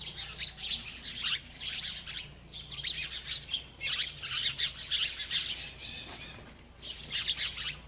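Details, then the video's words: A feeding bird gives phrases of quick high chirps, each lasting about a second, with short breaks and a longer pause before a final burst. "This Happy Bird Won’t Stop Eating and Chirping"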